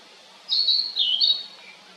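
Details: Narcissus flycatcher uttering a rolling series of three high whistled segments, the middle one dipping lower, ending with a faint soft note; calm, quiet background.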